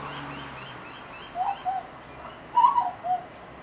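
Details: Young wild grey butcherbird in Australia, about four months old and tame, practising adult calls outside an office window: a few soft, mellow, slightly downslurred fluting notes in two short bursts over steady background hum.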